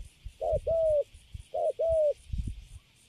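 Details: Freshly caged spotted dove with a good coo; two low doubled coos, a short hoot leading into a longer slightly falling note, followed by soft low taps.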